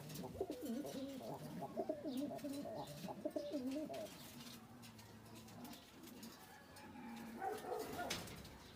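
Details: Domestic pigeons of the Indian Kaldom breed, males and females kept with their young, cooing in low, rolling, throaty phrases.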